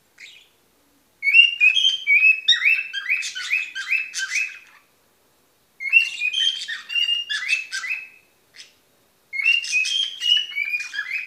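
A cockatoo gives three bursts of quick, high whistled notes. Short rising and falling phrases tumble together in runs of about three seconds, with quiet pauses between.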